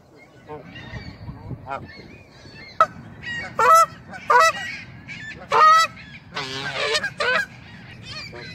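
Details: Canada geese grazing on a lawn, apparently annoyed at being photographed, give loud, harsh honks in quick overlapping bursts, some rising and cracking, with quieter grunting calls between them and faint background noise.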